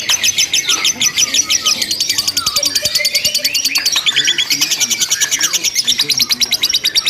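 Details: Lovebird in a simulated singing contest performing ngekek, long unbroken chatter: rapid high shrill notes repeated about three times a second without pause, with faint voices and other sounds in the background.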